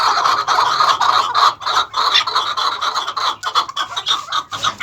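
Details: Several maskati cross chukar partridges from first- and second-cross farm breeding pairs give quick, irregular clucking chuk calls in bursts, about three a second, loud and close.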